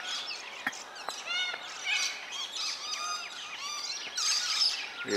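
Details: Two scaly-breasted lorikeets fighting trade harsh, rasping screeches in rapid, overlapping bursts, with a loud, shrill flurry near the end.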